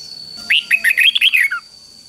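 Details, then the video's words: Caged Red-whiskered bulbul singing one doubled three-syllable phrase used to teach young birds the counting-competition song; about a second of rapid, bright, rising and falling whistles, closing on a lower slurred note over a faint steady hum. "เสียงนกกรงหัวจุกเบิ้ลเพลง3พยางค์ทั่วไปง่ายๆ สายนับดอกต้องหัดลูกนก"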